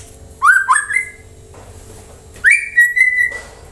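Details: White-rumped shama, played to make other birds answer and sing; two groups of rising whistled notes, the second ending in a long steady clear whistle, with a faint hum throughout.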